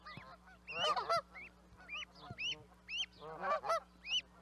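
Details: Scattered Canada goose honks from a few birds, some bursts clustered and overlapping, others single upward-bent nasal calls spaced a half-second apart.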